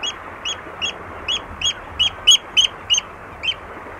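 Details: Close oystercatcher at Walney calling a rapid run of about ten loud, shrill piping notes, each a quick rising-falling 'kleep', roughly three per second and swelling in the middle, over soft lapping water.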